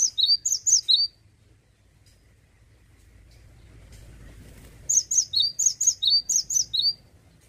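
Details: Male cinereous tit singing energetically in the 'ngeplonk' style: a fast series of piercing, high two-part whistled notes, a pause of about four seconds with faint low background noise, then another brisk string of repeated doublets.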